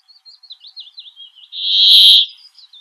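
Brambling: soft wavering twitters for about a second and a half, then one loud, drawn-out nasal wheeze lasting under a second, followed by faint twittering.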